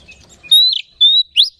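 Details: Oriental magpie-robin song as a lure to stir other magpie-robins into singing: three loud, clear, level whistled notes, the last with a brief buzzy flourish.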